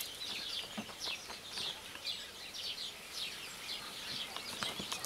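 Eurasian blackcap singing a rapid, varied warble of short, high, fluty notes that tumble along almost without pause, with faint background noise.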